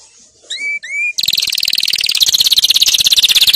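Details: Canary singing as a model for young birds to learn from: two short, rising whistled notes, then a fast, continuous, high rattling roll that grows louder.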